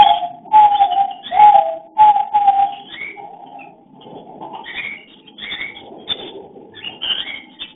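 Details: Cockatiel during mating, filmed with a hidden camera: a run of fast, repeated whistled notes, then softer upward-sliding chirps about once a second.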